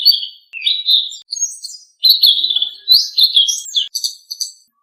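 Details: Blue-winged leafbird, kept as a cage bird, singing a busy sequence of warbled, slurred phrases and quick chirps, phrases broken by short gaps, with faint high twittering notes; no other sounds.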